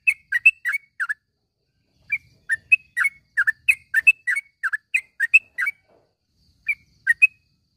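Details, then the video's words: Tutor recording of a yellow-vented bulbul calling in the morning, meant to get mute caged bulbuls singing. Clusters of chirpy, liquid notes are separated by pauses of about a second. "panggilan suara trucukan di pag hari ini ampuh buat masteran burung trucuk macet bunyi menjadi gacor"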